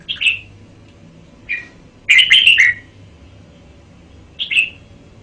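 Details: Short whistled notes from a red-whiskered bulbul, then a fuller, bubbling phrase of several slurred notes and a final two-note whistle, spaced by quiet gaps.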